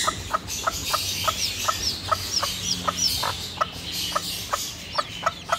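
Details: Hen guarding her baby chicks makes a regular series of low, abrupt clucks spaced about a third of a second apart. Soft high chick cheeps rise now and then above a murmuring background.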